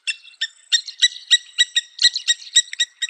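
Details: Blacksmith Lapwing (Vanellus armatus) calling at Naivasha Country Club, Kenya: sharp, metallic tink notes, like a hammer striking an anvil, about three or four per second at a slightly uneven pace.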